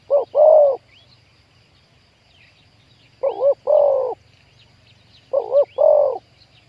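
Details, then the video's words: Spotted dove in a trapping session for wild doves, large 'khu-ang' voice: three low cooing phrases spaced about two and a half seconds apart, each a quavering note then a sustained coo, small birds chirping faintly. "ต่อนกเขาใหญ่ วันนี้จับนกป่าคูอ่างเสียงใหญ่"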